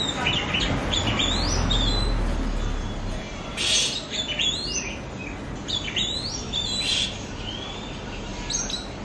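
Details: Oriental magpie-robin lure song for making pet birds sing more: fast varied chirps, trills and whistled slurs, several notes a second, with low rumbling noise in the first seconds.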